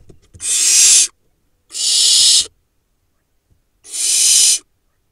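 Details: Young barn owls at a nest camera in Israel's Hula Valley, four remaining nestlings from a late-laying pair, playing and pouncing; three drawn-out rasping hiss-screeches, each under a second, separated by near silence.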